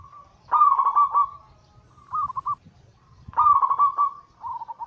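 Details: Anggungan cooing from a zebra dove: a loud trilled coo phrase, a short softer answer, and the same loud rolling phrase repeated about three seconds later with a quieter tail.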